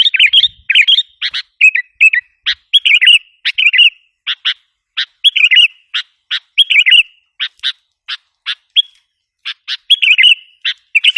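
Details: Sooty-headed bulbul lure call aimed at wild bulbuls: long series of sharp single chirps interspersed with short bubbly twitters, spaced irregularly, in an otherwise quiet background.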